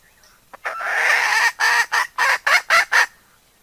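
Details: Decoy hen calling to draw in other fowl: one long hoarse note of nearly a second, followed by six sharp clucks repeated fast and steadily.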